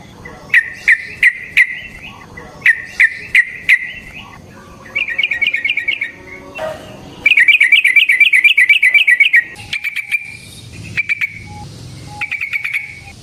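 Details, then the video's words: Yellow-vented bulbul singing long rolling phrases, a lure and training recording to set other bulbuls singing: groups of three sharp chirps, then a fast bubbling trill and scattered single notes. "Burung TRUCUKAN GACOR Ropel Panjang Cocok untuk PANCINGAN Trucuk bahan dan MASTERAN Burung Trucukan"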